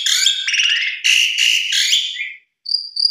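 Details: A Javan Pied Starling pours out a rich, harsh-edged jumble of squeaky whistles and rattles, ending in two clear, high whistled notes after a brief pause; used as a lure to set other starlings singing.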